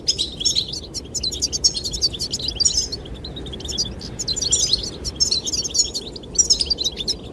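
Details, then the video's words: Goldfinches singing for a female: lively bursts of tinkling, high-pitched twittering notes rising and falling, separated by short gaps, over steady wind. "Sound of the wind and the chirping of goldfinches relaxes"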